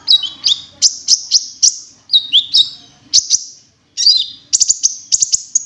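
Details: Cinereous tit calling to lure other birds: loud, ringing high notes in quick pairs and triplets, some dipping then rising, repeated steadily, with brief crisp clicks between phrases.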